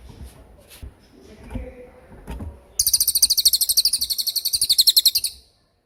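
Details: Tembakan-style cililin song used for training songbirds. Faint low rustling comes first, then a sharp, fast staccato trill of high repeated notes runs for nearly three seconds.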